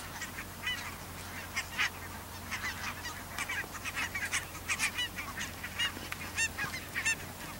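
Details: Pink-footed and Brant geese gathered near the Borreby bogs, flat wet land. Distant flock of scattered short honks and yelps, rising and falling in bursts over a soft background hiss.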